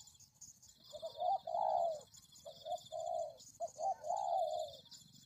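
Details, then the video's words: Spotted dove luring call, with repeated mellow coo phrases. Each opens with a quick short note followed by a longer, rising-and-falling coo, heard three times over a continuous high, thin buzzing background. "Pikat Tekukur"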